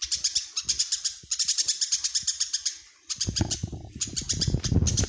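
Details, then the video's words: Tame Eurasian tree sparrow, said to sing constantly day and night, gives rapid runs of high, sharp chirps in bursts of about a second with short pauses. Low knocking and thumping noises underneath grow louder near the end. "Burung greja jinak dan gacor"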